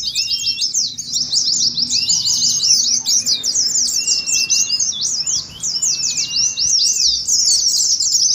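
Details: Flocking Oriental white-eyes in a contest-simulation recording. The bird chatter is rapid and high, made of overlapping chirps with no pause. Several level, thin whistles cut through the chatter.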